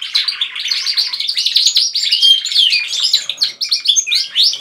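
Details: Several indoor pet canaries singing together with one bird leading: steady, busy warbling of trills and chirps, a bright whistled note partway, ending in louder clipped phrases.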